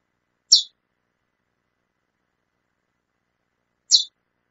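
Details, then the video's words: Female chestnut-bellied seed finch giving two short, high, sharp chip calls about three seconds apart, with silence between and no other sounds. "fêmea de curió chamando muito"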